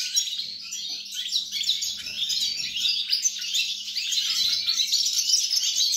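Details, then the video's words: On 29 December 2022 a European goldfinch sings a lively, unbroken stream of rapid, high, liquid twitters and buzzy trills, with notes tumbling about twice a second. "GOLDFINCH SONG"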